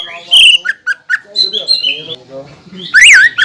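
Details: Greater green leafbird used as a lure to make other leafbirds sing: a loud whistle, a few short notes, soft mixed twittering, then a sharp zigzag whistle at the end.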